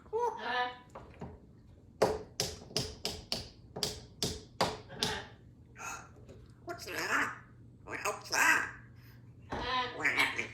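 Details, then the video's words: Symon, a two-year-old female Congo African Grey Parrot, seemingly very happy, talks in clear, speech-like phrases with short bursts of mimicked words and sharp tapping or clicking sounds between them. "2 year old parrot🦜speaks better than most people"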